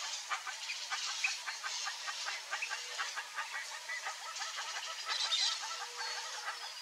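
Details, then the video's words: A family group of Chaco chachalacas (Ortalis canicollis) in the Pantanal calls together in a loud, harsh, rhythmic chorus of repeated grating notes, with several birds overlapping throughout. "ARACUÃ-DO-PANTANAL em família, (ORTALIS CANICOLLIS), CHACO CHACHALACA, CHARATA"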